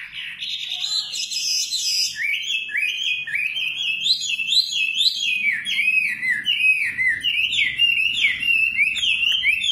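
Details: Nightingale singing a long, continuous phrase of high, rapidly warbled notes that rise and fall in quick loops, steady and loud throughout.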